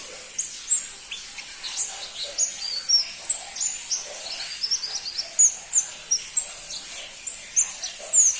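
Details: Crimson-breasted flowerpecker, called pentis pelangi locally, keeps up a long run of very high, needle-thin chips and tiny whistles. Many short notes come irregularly, roughly two to four per second, over light background hiss.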